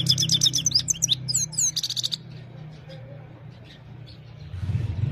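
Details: Himalayan goldfinch singing in the evening, recorded on a mobile phone: a quick burst of twittering, tinkling and buzzy high notes for two seconds, then faint scattered chirps and low background hum.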